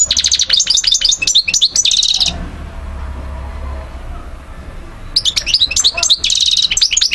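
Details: Algerian European goldfinch, Algiers 2012, delivering fast bursts of bright twittering and jingling notes with short buzzy trills, pausing for about three seconds of near silence before resuming the liquid, chattering phrases.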